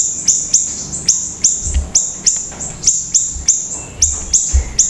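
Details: Pleret singing vigorously: a fast series of sharp, high chips, each a steep downward sweep, repeated about every third of a second throughout, with faint low thumps in the background.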